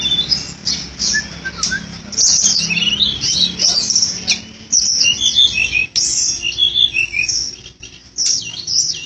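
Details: Tledekan gunung flycatcher in lively, continuous song: dense, very high twittering with quick chirps, thin whistles and scratchy notes pouring out almost without pause, a few short breaks near the end.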